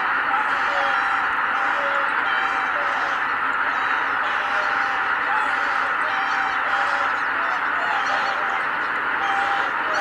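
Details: Massed greater white-fronted geese rising together at Kabukuri-numa on 12 January 2019 produce an intense, ceaseless cackling chorus that stays even throughout.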